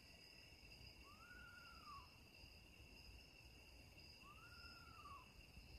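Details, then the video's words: Eastern Screech Owl in a back yard just after sunset gives two soft, whistled calls about three seconds apart, each rising briefly then falling away, over a steady high insect chorus and low rumble. "Owl in the back yard."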